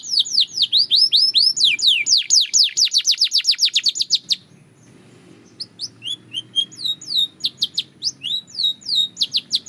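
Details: Belgian canary singing practice: quick run of descending whistled sweeps and a fast trill, a brief pause near five seconds, then looser repeated chirps and upslurred whistles; low hum in the background.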